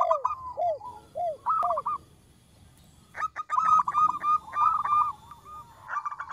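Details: Local zebra dove with a small, lively voice, sung for luring: low arched notes and short coo bursts, a quiet gap, then a rapid rattling series of ringing coos rising into a trill.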